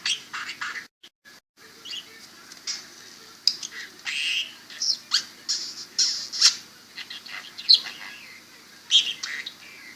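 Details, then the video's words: Budgerigar chattering while being kissed and spoken to by its owner. Busy, scratchy chirps and squeaks follow a brief break near the start. "talking and kissing parakeet/ budgie"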